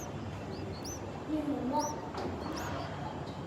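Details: Hungry bulbul nestlings in their nest, on their third day, begging with thin, high, rising chirps that come in short irregular bursts over a steady low background hum.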